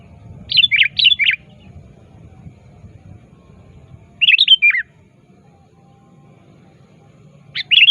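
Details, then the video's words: Sooty-headed bulbul in active rival-calling, used as a lure: three separate bursts of jumpy, bubbling notes spaced several seconds apart, with low steady background noise. "Suara Burung Kutilang Gacor Aktif Memanggil Lawan"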